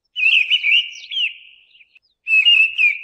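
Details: Mistle thrush singing: a fluty, whistled phrase with quick wavering notes, fading away, then a fresh phrase starting after a short pause.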